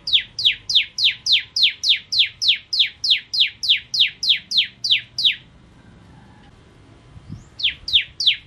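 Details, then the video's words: Bar-winged prinia (ciblek kristal) in energetic gacor song for masteran training: a long, regular series of falling high chips, a pause with faint rustling, then the series starts again. "Burung Masteran Ciblek Kristal Gacor"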